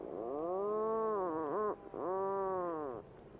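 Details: Puffin giving a deep, moaning call, steady at first and then wavering into a stuttered dip, followed after a brief gap by a second long moan that arches and falls.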